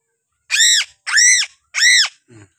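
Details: Three rasping, arched screams from a piping crow endemic to Sulawesi, each about a third of a second and spaced roughly half a second apart, followed by a brief low rough sound.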